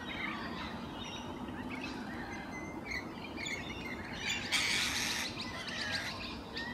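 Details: Wild rainbow lorikeets preening in their natural habitat on a morning: scattered chirps and squawks, then a loud, rasping screech burst midway, over a noisy outdoor background.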